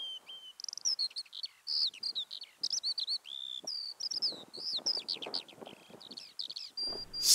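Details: Male Eurasian skylark heard from afar at Deer Leap, Mendip Hills, recorded through a parabolic microphone; a fast, unbroken stream of high twittering phrases, quick trills and sliding whistled notes, with faint low rustling beneath.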